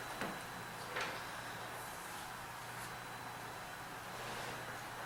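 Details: Faint knocks and clicks like a door or drawer sound over a steady low hum, with no animal calls.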